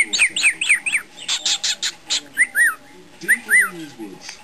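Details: Pet male cockatiel chatting up close to its owner gives quick, arched chirps in short runs broken by harsher breathy bursts, while a budgie chunters in the background and tries to mimic "make a cup of tea".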